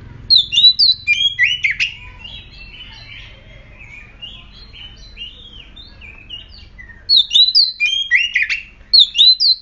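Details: Oriental magpie-robin (murai kampung) singing to make other magpie-robins answer: rapid bursts of high, twisting whistles and chips, a quieter rambling middle stretch, then another loud, energetic run of notes.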